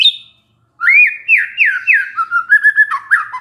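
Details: White-rumped shama, a stressed bird set off by a lure recording, singing a series of upward-swooping whistles that flow into a quick stuttering run of lower notes.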